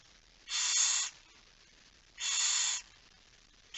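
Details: Barn owl calling at the nest during feeding late at night on 10 September 2019: two long, breathy screeching hisses about two seconds apart, with a third beginning at the end.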